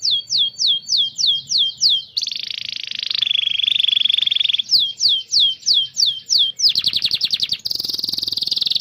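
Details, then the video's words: Canary song played to encourage young canaries and those that have stopped singing: repeated looping whistles, a long low-pitched buzzy roll, more looped whistles, then rapid trills. "Kenari GACOR masteran burung kenari paud dan kenari MACET bunnyi"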